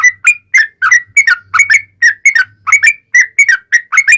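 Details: Fast chattering song of a yellow-vented bulbul, played as a lure so bulbuls answer; clusters of short liquid whistles rising and falling, delivered in quick groups with tiny gaps between.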